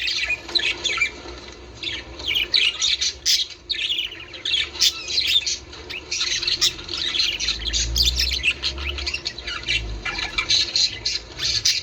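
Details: Budgerigars warbling in chorus for breeding stimulation: steady stream of chirps, squeaks and grating squawks from several birds, a faint low rumble midway.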